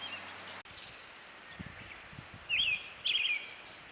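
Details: A male Japanese thrush on a campsite near Oshamambe, southwest Hokkaido, in spring gives two quick, warbled whistled phrases about half a second apart. Fainter high chirps from other birds sound early on.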